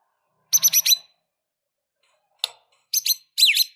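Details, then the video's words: White-rumped shama singing an emotional fighting song, full of varied phrases: short bursts of buzzy, rapid high notes in clusters of three to four, separated by pauses, with a sharp downslurred whistle near the end. "Murai batu Super Loyo tiba Tiba Serontak Emosi Fighter,Dengan Suara Murai Batu Gacor Full isian Ini"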